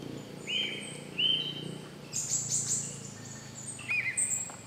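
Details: Female great hanging parrot, also called Sulawesi hanging parrot, in Tambun Conservation Area, Sulawesi, Indonesia, 9 August 2014: short, thin, upslurred squeaky notes spaced about a second apart, mixed with higher sharp chirps and soft background hiss.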